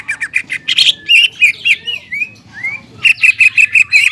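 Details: Energetic greater green leafbird song used to rouse stressed, silent leafbirds: quick bursts of chirps, a few slurred rising whistles, then a fast run of repeated sharp notes, with faint low background hum.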